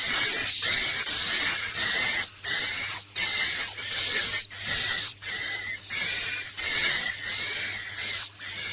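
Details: Swiftlet 'inap plus' lure call meant to draw birds to roost: rhythmic high hissing, buzzy phrases with a faint whistle, about one every 0.7 seconds, separated by clear short silences.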